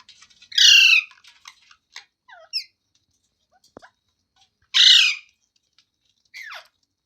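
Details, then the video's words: Parrot, said to be talking, lets out two loud grating squawks several seconds apart, with shorter thin downward-sliding squeaks and faint clicks in between. "Parrot Talking Sounds Videos | Parrot Voice |Parrot Ki Awaaz"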